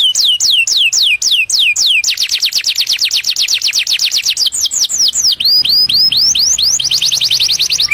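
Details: Canary song given to attract a mate: rapid repeated downward-swept whistles that merge into a fast rolling trill, then upward slurred notes and another quick trill, about four notes per second.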